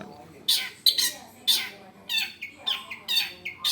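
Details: Long-tailed shrike voice used as a training model for other birds: loud harsh squawks with raspy, nasal tone, given in irregular pairs and singles across the stretch.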